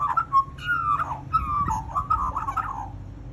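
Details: A magpie interacting with a person: a string of clear whistled notes and warbling, slightly gliding phrases, mostly mid-pitched, repeated over about three seconds, with low background rumble.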